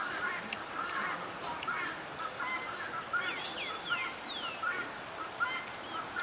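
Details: Crested oropendolas (Psarocolius decumanus) give liquid, slurred notes and sweeping whistles against a busy backdrop of chattering, overlapping bird calls.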